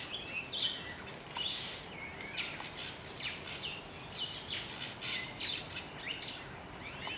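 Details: White-crowned robin-chat recorded in Gambia in 2008, giving a run of varied, high whistled and chattering notes, irregular and roughly once a second, over a steady background hiss.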